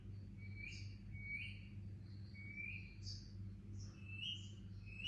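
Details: Baby Indian ringneck parakeet giving soft, thin chirps that rise slightly, repeated about once a second, over a steady low electrical hum indoors.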